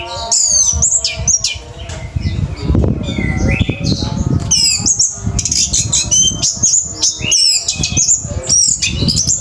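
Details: Orange-headed thrush in the fast, intense 'teler' song style used to train pet birds: dense run of sharp high whistles, slurred notes and harsh squawky bursts, almost continuous, over a steady low rumbling background.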